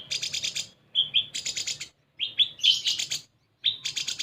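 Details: Sunbird lure song meant to get other birds singing: rapid high buzzy rattles alternating with short sharp whistled chirps, delivered in quick bursts separated by brief gaps.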